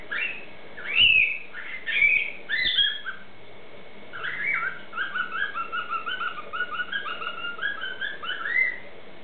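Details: A pet cockatiel mimicking a noisy miner, a currawong and a noisy parrot gives clear whistled phrases, then a quick run of about a dozen short, bright, high rising-and-falling notes over a faint steady hiss.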